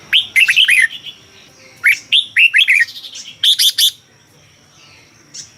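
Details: Thai red-whiskered bulbul song played to stir caged birds: two quick phrases of looping, warbled whistles dipping and rising, then a cluster of sharp high chirps before a quiet stretch.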